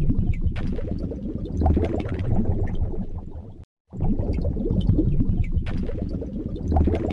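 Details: Bubbling, rushing noise like boiling or pouring water, broken by a brief silence, with no animal voice.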